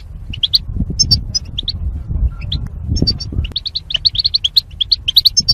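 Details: Caged goldfinch among mating pairs kept apart by wire: isolated high chirps giving way to a fast, steady run of bright twittering notes toward the end, with low background rumble.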